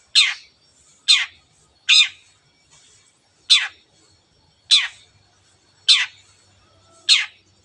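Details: Long-tailed shrike's 'teot teot' notes, played to get other birds singing: seven harsh, downward-slurred calls with irregular gaps of about one second, in an otherwise quiet setting.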